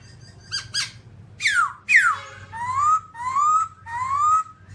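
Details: Babbler song opening with short sharp chirps, then steeply falling whistles, followed by three drawn-out rising whistled phrases, with a low background hum.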